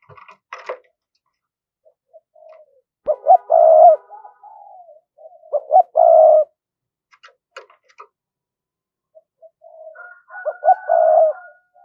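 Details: Spotted dove kept as a decoy, calling in the local "giọng thổ" style with "thúc" and cooing to draw wild doves in: three low, hollow coo phrases, each opening with short clipped notes and ending in a longer drawn coo, with scattered clicks.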